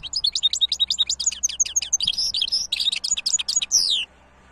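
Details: European goldfinch hybrid in a lively song. Quick chirps run into rapid twitters, then longer buzzy, slurred notes before stopping abruptly near the end.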